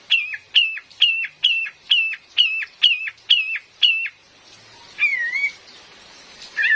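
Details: Female cream-vented bulbul used as a trapping lure: nine evenly spaced whistled notes, each falling sharply at the end, about two per second, followed by a wavering slurred whistle.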